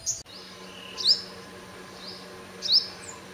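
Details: Sunbird singing at dawn, 5:30 AM: two thin, high, downward-sliding notes about one and a half seconds apart, over a steady low hum.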